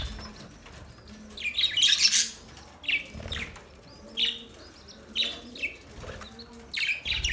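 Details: Budgerigars chirping: bursts of bright, scratchy high chatter that come and go every second or so, with quiet gaps and a faint low hum underneath.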